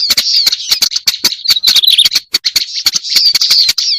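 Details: Lure recording of a black-browed reed warbler: rough, grating chatter with wheezy slurred notes near two seconds, interrupted by quick pauses and accompanied by sharp percussive clicks.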